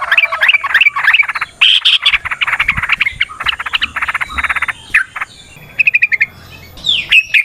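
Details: Yellow-vented bulbul singing long, aggressive trilling phrases, used to lure other bulbuls into singing; dense, continuous warbling chatter with a few pauses and sharp chips near the end.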